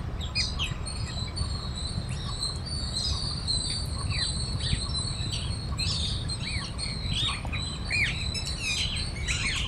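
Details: Flock of parrots chattering while feeding on grains in a Bangalore park, Karnataka, India; continuous overlapping shrill chirps and sharp downward-sweeping calls, with a constant low hum of outdoor noise.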